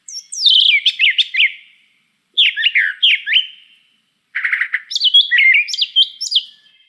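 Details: A Brown Thrasher sings rich, varied, high phrases, repeating each only about twice, in three bursts with short pauses between them; no other sounds are heard.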